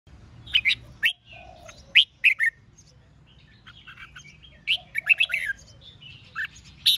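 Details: Red-whiskered bulbul contest song, used to provoke newly caught rival birds into singing back: short bursts of bright chirps and warbled notes in clusters around 0.5, 2 and 5 seconds, separated by quieter stretches with a faint low hum.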